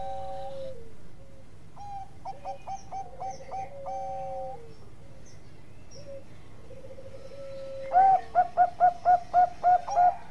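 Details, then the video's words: Zebra dove of the Bangkok type, kept as a tutor bird for training others, gives a long drawn whistle, then a softer run of quick coos and a final loud string of eight clipped, evenly spaced cooing notes. "Perkutut Bangkok Gacor Ampuh buat masteran"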